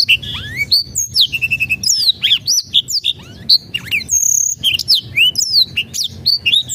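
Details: Black-throated canary song used as a lure to get silent birds singing: a fast, unbroken run of high whistles, upward and downward slurs, and short buzzy trills, with a soft low hum underneath.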